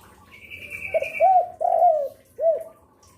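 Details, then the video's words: Lure spotted dove singing day and night: a steady whistle-like tone from another bird runs over the start, then three soft coos, the middle one long and falling, the last short and rounded. "Derkuku gacor rajin bunyi siang sore malam cocok untuk pancingan"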